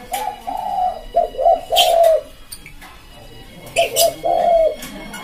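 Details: Spotted dove (tekukur) cooing, a recording used to lure wild birds: two soft, mellow coo phrases, each a few short notes ending in a longer drawn-out coo, with clicks and a faint hiss.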